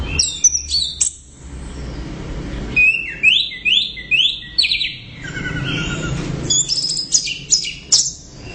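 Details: Orange-headed thrush singing loud and nonstop, quick series of rising whistled notes repeated in rhythm, then a buzzy trill and scattered high sharp chirps.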